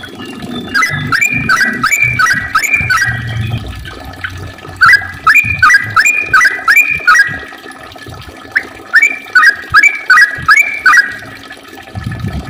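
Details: Yellow-vented bulbul giving long, rapid-fire song to lure other bulbuls and make them sing: three bursts of fast, bubbly, up-and-down whistled notes, each burst lasting a few seconds, with short pauses between.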